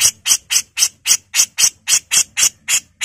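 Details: Female grey-cheeked bulbul in full 'mbesetan' style: a steady run of twelve harsh, rasping, buzzy bursts, roughly four each second, evenly spaced with no other sounds.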